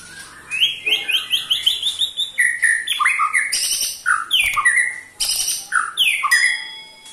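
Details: Ketrekan from a white-rumped shama, used to spur other shamas into song: a run of quick rising chips, then harsh rasping slurs and buzzy downward notes repeated in uneven bursts.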